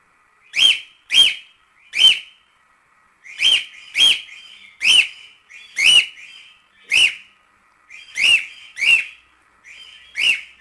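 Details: Pet cockatiel singing: a loud, rising-then-falling whistled chirp given singly or in close pairs at irregular gaps of about half a second to a second and a half. The background is otherwise quiet.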